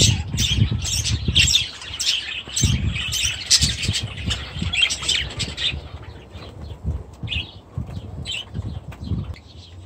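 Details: Budgerigar flock with new chicks in an aviary: busy scratchy chatter for about six seconds, then thinning to a few isolated chirps, with low flapping and thuds throughout.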